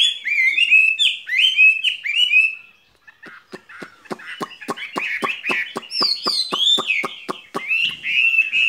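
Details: Springtime song of a caged skylark: bright warbled phrases, a brief pause, then a rapid series of dry clicks laced with high twittering whistles.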